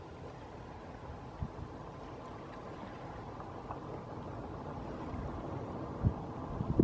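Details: Low rumbling water and engine-like noise throughout, with a few soft knocks and no animal voice.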